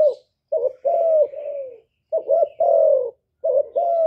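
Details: Spotted dove song, recorded live as playback to get captive doves cooing. Deep soft notes run in the pattern of a double hoot, then a long sliding coo, repeated three times with short gaps.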